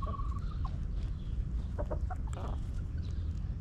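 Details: Backyard hens relaxing in their coop: a short level tone, then scattered throaty clucks in small bursts, over a steady low rumble.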